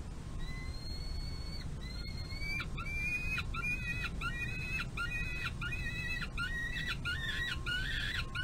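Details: Peregrine falcon eyas at a nest box runway on 25 May 2022, fed by its mother near the end of a meal. Harsh harmonic wails, sparse at first, then rapid repeated squealing notes. Steady low rumble throughout.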